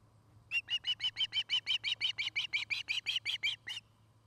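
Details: Osprey at a nest near treetops in Charlo, Montana, filmed by a nest camera dated 09-08-2018; a rapid series of about sixteen sharp, ringing chirps, roughly three per second, rising slightly in intensity, over a steady low hum.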